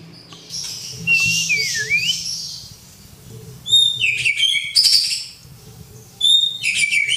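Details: White-rumped shama song used as a tutor recording, the bird answering a whistle: clear whistled notes sweeping down then up, followed by bright chopped phrases in quick bursts separated by short pauses, over a faint low hum.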